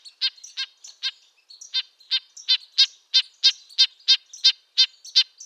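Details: Red-breasted nuthatch calling in a steady series of high, nasal honks, each brief and ringing, spaced about every third of a second after a short pause.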